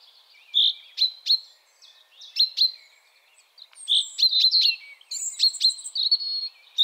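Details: Common chaffinch (Fringilla coelebs), song.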